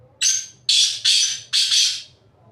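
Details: From atop a rock, a black francolin gives its call, a grating series of four loud, harsh notes about half a second apart, the first carrying a thin whistled tone, over quiet low background rumble.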